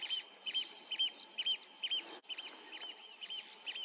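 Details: Distant Eurasian oystercatcher in flight above a river on 27 June 2023, giving shrill piping calls at a steady pace of about two per second.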